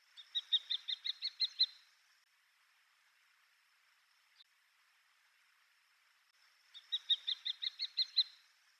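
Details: A wild common kestrel, recorded in Japan between Yonaguni and Saitama, delivers two bouts of piercing rapid kee-kee-kee notes, about seven or eight in each. The bouts are several seconds apart, with one faint single note between them, in otherwise quiet surroundings.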